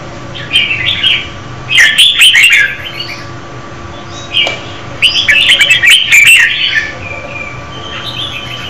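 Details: Red-whiskered bulbul, a female, sings to stir up a male, giving lively jumbled bursts of sweet chirps and slurred whistles, four phrases with brief gaps between them, against a faint constant background hum.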